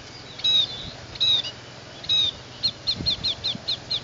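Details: Scaly-breasted munia, a pet bird native to Asia, giving short high thin whistled notes: three spaced drawn-out calls, then a quicker run of about seven brief clipped notes. Faint low background hum.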